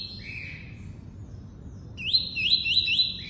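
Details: Singing double-collared seedeater in the tuí-tuí style: a held high whistle dropping to a lower tone, a pause, then a quick series of four bright upslurred notes repeated rapidly, over faint hum.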